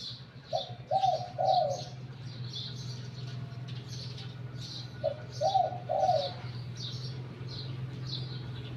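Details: Wild-caught spotted dove used as a decoy bird, with a medium-to-deep voice, giving two rounded three-note cooing phrases about five seconds apart, accompanied by steady low hum and sharp high chirps of other birds.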